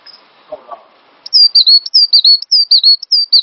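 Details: Master song of a cinereous tit, used as a lure for training songbirds. Faint background sounds open, then a bright run of sharp whistled phrases begins, each stepping from a high note down to a lower one, rapidly repeated.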